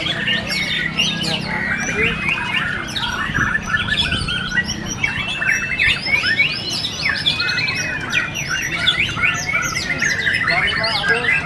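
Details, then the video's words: White-rumped shama (murai batu) in the murai batu class of a singing competition at Cibubur, Indonesia: dense, rapid, varied whistled and chattering phrases with sharp upswept and downslurred notes, overlapping birds, low crowd rumble beneath. "AKSI MURAI BATU RANCAP"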